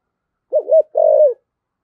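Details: Spotted dove in the thổ sấm voice style used for decoy calling: two short low hooting coos, the second longer and slightly falling, with silence around them.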